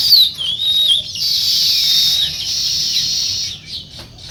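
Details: Natural sparrow chirping in the morning: a few loud, swooping whistled chirps at the start, then a dense blur of high twittering over low background noise.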